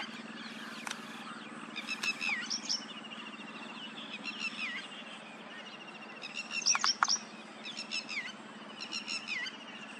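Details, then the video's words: Paddyfield pipit song captured with a Nikon P1000: clusters of quick, sharp chirps and buzzy slurred notes in repeated phrases, set against constant background hiss and a low droning hum. "Paddyfield pipit singing tune"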